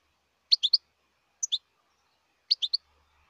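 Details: A wild European goldfinch repeats quick, high, tinkling three-note and two-note phrases about once a second, clear and close with little background noise.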